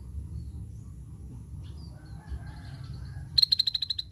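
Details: Near the end, a scaly-breasted bulbul delivers a short run of about eight quick, high, evenly spaced notes that fade slightly, after a quiet stretch with a faint low hum.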